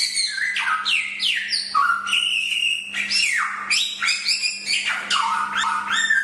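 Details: Chinese hwamei in full song, recorded for training birds: loud whistled phrases with repeated downward and upward slides, varied and continuous, rich in harmonics, with a faint background hum.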